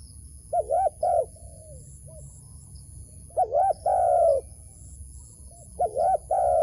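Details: Wild dove calling near a trap it is being lured into, giving paired coos: a short note then a longer falling one, in two bursts about three seconds apart, over a low background hum.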